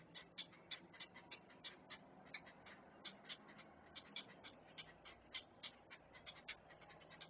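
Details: At a Chesapeake nest camera, great blue heron chicks being fed produce a series of sharp, dry clacking pulses spaced a few tenths of a second apart, against low background hum.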